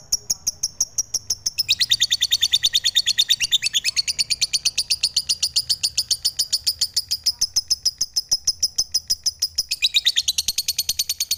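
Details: A lovebird sings a long, fast chattering run. A thin, steady high whistle opens into rapid buzzy pulses, roughly seven to eight a second, and brief brighter bursts break in near the end.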